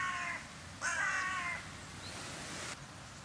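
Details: Carrion crows from a large flock that visits a bird-feeding round in January 2021: two harsh, harmonic caws, the first short and the second longer and louder, with a faint higher note afterwards.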